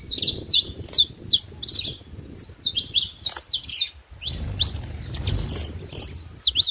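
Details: Free-living saffron finch in nature delivering a lively song of sharp high chirps and down-slurred notes in quick runs, a brief pause near the middle, soft low noise underneath.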